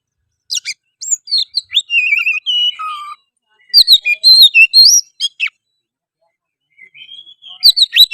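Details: Oriental magpie-robin giving energetic lure song to trigger singing, fighting and tail display in another bird: quick chips leading into sweet whistled phrases, a pause, a louder twittering burst, then a final sharp flourish.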